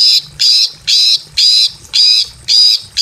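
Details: Female greater green leafbird in breeding condition in a simple aviary, calling to a male: harsh buzzy notes with a banded tone, repeated about twice a second in a steady series.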